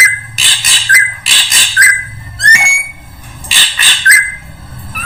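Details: Drongo voice played as a bird-attracting lure, with loud raspy bursts in pairs and short clear whistles that rise or slur, repeated in groups separated by about a second of quiet.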